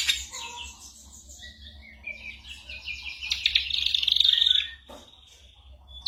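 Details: Ashy drongo song of borrowed sounds, gunshots and other birds, recorded for teaching songbirds; soft descending whistles and quiet notes build into a loud, rapid buzzy trill, followed by a click and a short whistle.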